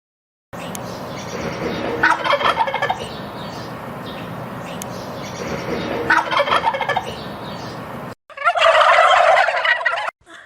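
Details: ['Turkey gobbling: two bubbling, rattling gobbles set against a steady background hiss, ending with a louder, brighter burst of gobbling.']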